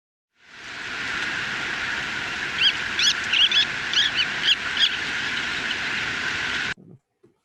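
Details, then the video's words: Surfbird, a bird of rocky and sandy shorelines, giving generic shorebird chatter: a run of short, high squeaky notes over about two seconds against a steady wash of surf-like hiss. "Kind of generic shorebird chatter. This is a surfbird."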